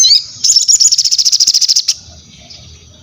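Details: Crested jay gives a short high note, then a rapid dry rattle of about fifteen clipped pulses lasting near one and a half seconds, followed by faint low background rumble.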